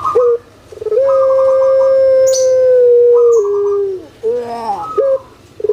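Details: Puter pelung collared dove, a caged breed well known on Java, Indonesia: a short note, then a long level coo of about three seconds that steps down at the end, followed by gurgling wavering notes and a final short coo.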